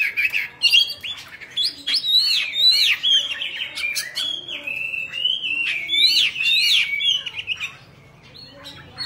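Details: Oriental magpie-robin kept as a cage bird, singing while dancing and fanning its tail: a continuous run of clear whistled phrases, sliding up and down and varied, with sharp high notes mixed in, fading out near the end.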